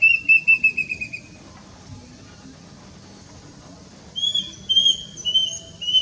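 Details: Plaintive cuckoo (Cacomantis merulinus) calling: a quick string of high whistled notes that fades downward, then a pause of about three seconds before a new series of higher, wavering whistles begins.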